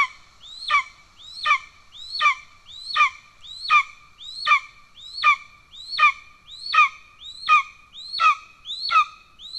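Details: Calls at an Estonian golden eagle nest, 17 July 2024, during the male's pigeon delivery to a young already fed: a very regular chain of thirteen shrill notes, each rising briefly then dropping steeply, about 0.7 seconds apart.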